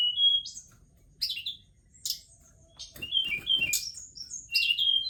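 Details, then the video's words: Forktail known as tledekan gunung giving scattered high whistles and sharp chirps, then a busier passage of slurred, quickly repeated notes. "Tarian indah Tledekan Gunung"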